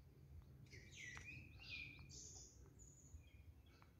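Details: Morning bird sounds from 5 June 2022: a short burst of bright whistled, slurred notes followed by a thin high drawn-out whistle and softer distant chirps over noticeable low rumbling background noise.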